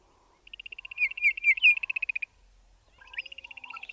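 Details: Duetting Bokmakierie pair, Southern Africa: a fast ticking high trill runs for nearly two seconds while loud descending whistled notes ring over it, then a second burst of trill with a rising note follows after a short pause.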